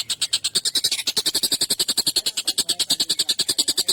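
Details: Collared kingfisher in an agitated state, its long, sharp, coarse call used for songbird training. It is a quick, even train of rasping notes, slightly crowded and louder around one second.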